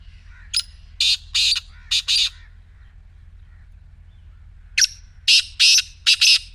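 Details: Harsh, rasping call of a black francolin, given as two phrases of four scratchy, buzzy syllables separated by a few seconds of quiet, with a faint low rumble underneath.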